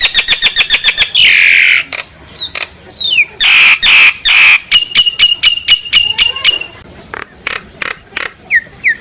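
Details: Flock-calling song of a common myna: fast clicking rattles, drawn-out harsh rasps, upward-sweeping whistles and evenly repeated metallic notes, delivered loudly and continuously.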